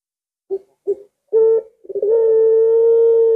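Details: Puter pelung collared dove, not very aggressive, whose arching coo is said to set other doves calling: two short soft coos, a louder brief note, then a rising stutter settling into a long steady held tone.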